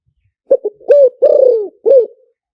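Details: Single low coo phrase of a spotted dove, a decoy call in the หลิ่วตัน style meant to draw doves in quickly: two short notes, then a long rolling coo and a final falling note, with silence around.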